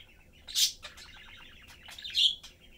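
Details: Budgerigar family of parents and a young bird chatting and eating; rapid twittering warble with two loud, sharp chirps.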